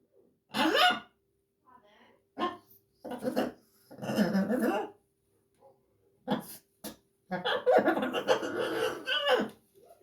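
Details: Blue-and-yellow macaw talking and laughing. Harsh, voiced bursts of speech-like sounds come in uneven phrases. Short quiet gaps separate them, and a longer laughing stretch comes near the end.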